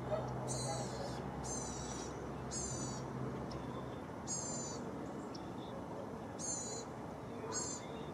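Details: A Bald Eagle at its nest, where male and female take turns incubating eggs, gives thin, high, chittering piping calls in short bursts, about one per second at first, then more spaced, over steady wind or rustling and a low hum.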